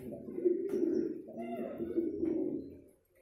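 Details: Courting pigeon giving deep, bubbling coos in a long rolling phrase that rises then trails off, recorded indoors with slight clicks and faint speech-like noise.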